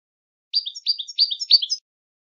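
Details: Short goldfinch tutor phrase for singing training: four quick repeats of a high, sweet two-part note, each dropping in pitch, delivered crisply with no background noise.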